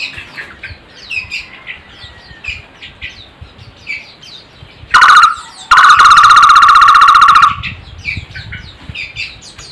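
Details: Barbet giving a strange but melodious call: a loud, harsh, rapidly pulsed buzzing rattle, one short burst then a longer run of about two seconds, over faint high chirps from other small birds.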